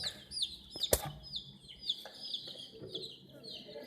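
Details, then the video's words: Domestic chicks confronting a mini toy crane give clear, high, downward-sliding peeps in quick succession, with a sharp knock or clatter near the start. "Chicks Chirping Sound"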